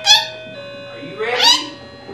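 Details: A pet female rainbow lorikeet (Trichoglossus moluccanus) named Green Bean, with a large vocabulary, mimics speech in two short bursts: a brief word, then a longer rising, slightly nasal phrase, over a faint steady hum.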